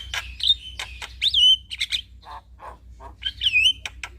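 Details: Male Javan myna voice played to make other mynas respond: rasping bursts mixed with upslurred whistles that level off, low nasal honks in the middle, then a rising whistle again.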